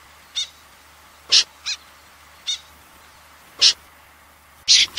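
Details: Common snipe recorded in 2020 and used as a trapping lure, giving harsh, rasping single notes, about six in five seconds at an uneven pace, over a quiet background.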